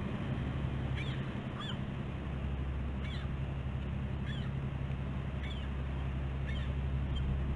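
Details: Bald eagles at a nest on the West End of Catalina Island, California, on the morning of 15 August 2016. Faint, high, slurred chirps recur every second or so, partly buried under heavy low hum and hiss.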